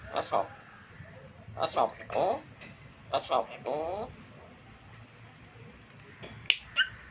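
Grey parrot talking in three short bursts of voice-like, word-shaped phrases, then two sharp whistled clicks near the end. The room is otherwise quiet.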